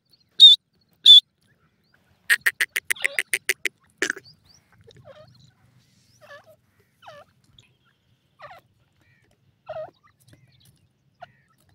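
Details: Francolin, a female calling to her chicks. Two sharp high notes come first, then a quick run of about ten clipped, pulsed notes. Softer scattered chirps follow over quiet background.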